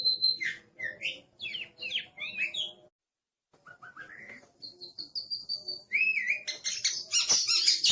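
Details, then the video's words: Aggressive Oriental magpie-robin singing in brief bursts of rising and falling whistles, a pause of silence, then sharper chirps and a harsh, noisy burst of notes at the end, over a faint low hum. "Suara Master Burung Kacer Galak"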